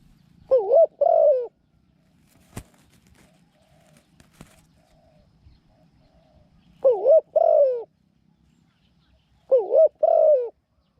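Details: Decoy Spotted Dove, a new caged bird with a small voice that coos well, calling to draw wild doves to a trap: three widely spaced two-note phrases, a wavering coo then a longer falling one, with a sharp click between.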